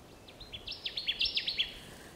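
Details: Connecticut warbler in Wisconsin, recorded 30 May 2016, delivering a loud chanting phrase of roughly nine clipped, ringing notes repeated at an even rapid pace, building in volume, with soft background noise throughout.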